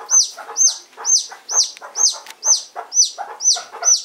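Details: Little Serama chick with strong pipes: piercing high peeps, each sliding up then dropping, given about twice a second in a steady run of eight, with soft low scratching underneath.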